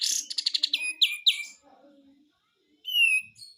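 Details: White-eye delivering besetan song: a harsh buzzy burst, then a run of fast repeated notes, a pause with faint low sounds, and a final clear whistle.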